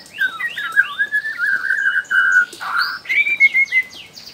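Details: Wild juvenile white-rumped shama from Borneo, used to prompt other shamas to sing, pouring out a flowing sequence of melodious whistles, including a long slurred phrase, a harsh burst, then quick downward-sweeping notes.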